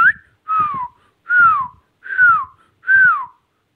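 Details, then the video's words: Captive Indian ringneck parrot giving five loud, pure whistles, each sliding up then gliding down, spaced under a second apart, in a small room. "Indian ringneck |parrot |amazing r|ingneck |Don| parrot ||talking"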